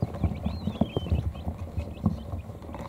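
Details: Quail chicks only a few hours old in a brooder, tired after eating and drinking, settling under an electric heat plate; thin high peeps and one longer drawn-out descending whistle over soft thumps and scratching of small bodies shuffling.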